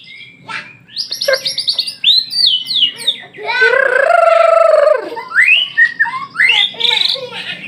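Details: White-rumped shama in full song: rapid varied phrases of high whistles and trills, with a sustained rich harmonic note midway. Fast, shifting and loud throughout.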